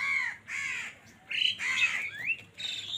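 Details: Crows fighting over food give loud, harsh caws in three drawn-out bursts, ending with a short rising squeal and a final flat, nasal note.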